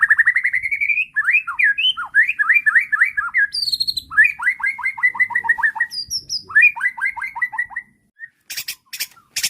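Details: Bait song of a white-rumped shama, meant to make a riled bird reply at once and unload its repertoire: a rising rapid trill, then repeated downslurred whistled notes in quick series, high thin phrases, and a few sharp clicks at the end.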